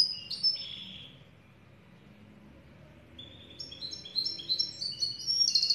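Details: Twittered black siskin song: a short buzzy burst, then nearly two seconds of quiet before a lively sequence of rapid high chirps and whistles resumes, ending in a buzzy trill.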